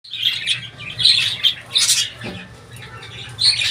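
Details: Budgerigar chattering: bursts of scratchy, warbled high notes and short squawks, loudest near two seconds, with gaps between phrases and a steady low hum underneath.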